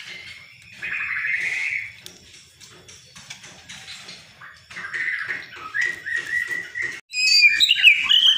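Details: Old white-breasted Oriental magpie-robin in quieter song: drawn-out mid-pitched whistles and chirps among soft repeated clicks, ending in a louder, bright jumble of high notes.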